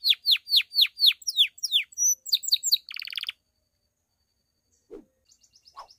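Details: Bell-style song of a pied Belgian canary, meant to spur other canaries and females: a series of sharp descending whistled notes about four per second, then a fast buzzy trill, followed by near silence with faint chirps.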